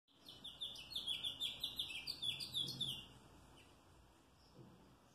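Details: House finch singing, recorded 3 May 2022: a fast, warbling run of bright chirps and slurred notes for about three seconds, then a faint note near the end; low background hum.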